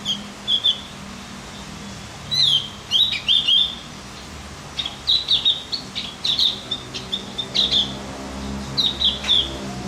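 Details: Javan grey-throated white-eye song, used as a recording to make other birds more excited: lively, high, chattering twitters in quick clusters of sliding and buzzy notes, nearly continuous for ten seconds, over a faint low hum.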